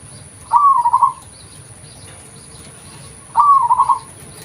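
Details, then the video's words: Local zebra dove, recorded as a lure: two matching cooing phrases about three seconds apart, each a smooth opening note that runs into a fast stutter of pulses. "PERKUTUT LOKAL || SUARA ASLI COCOK UNTUK PANCINGAN"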